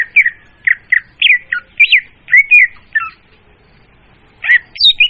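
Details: Clear, loud lure song of an oriental magpie-robin used in trapping: quick varied whistled notes, some rising and falling, delivered in a burst of about three seconds, a pause, then a fresh high twittering phrase.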